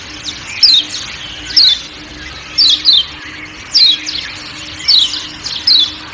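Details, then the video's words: A kecial kuning white-eye of Lombok calls 'ciak ciak' amid forest ambience, with crisp, high, downslurred chirps in ones and twos, evenly spaced, above a low steady hum. "Kecial Kuning Ciak Ciak Dan Suara Hutan"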